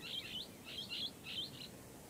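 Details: Harsh, squeaky chatter from a Blue-headed parrot, three rough paired bursts repeated roughly every half second against a low, constant background rumble.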